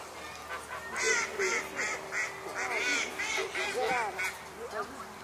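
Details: Geese by a pond at Chevreuse, September 2018, honking steadily: rapid overlapping nasal honks, several per second, from more than one bird, over a constant background hiss.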